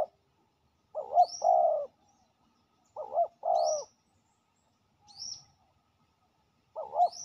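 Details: Territorial male spotted dove, very aggressive local bird, answering a ground decoy: low paired coos, a short note then a longer throaty one, in bursts about two seconds apart, with thin high squeaky chirps between.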